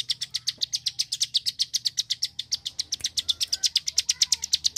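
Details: Fast, tightly spaced high clicking from a Bar-winged prinia in full rapid-fire song, a tutor recording for competition birds, with a soft low hum beneath.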